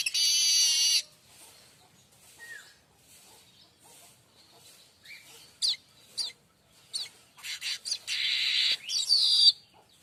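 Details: Streaked weaver song for tutoring caged magpie robins and white-rumped shamas: an opening buzzy sizzle, a quiet stretch with faint notes, then sharp chirps building into harsh buzzing bursts.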